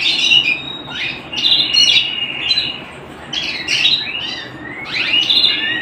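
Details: Singing canary at home: clusters of sharp up-and-down swept chirps alternating with brief high rolling trills, in bursts separated by short gaps.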